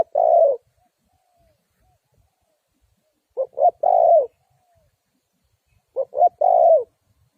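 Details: Spotted dove used as a lure to trap wild doves, giving widely spaced phrases. A long coo is followed about three seconds later by two full phrases of double hoot plus drawn-out coo.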